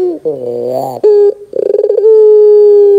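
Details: Barbary dove lure call in the gacor dor style, meant to make young doves answer: low cooing notes, a stuttering pulsed burst, then a long steady hum-like coo held for about a second.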